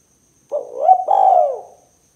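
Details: Single spotted dove phrase in the 'kuk 2' style, used for luring other doves: low mellow coo rising to a brief note, then a longer rough coo that drops in pitch, against a quiet background.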